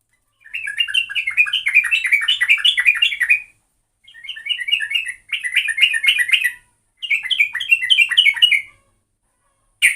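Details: Sooty-headed bulbul (trucuk) as a lure bird, delivering bursts of rapid chirpy, bubbling notes in three-second runs separated by short silences, quick and slightly rising patterns, quiet background.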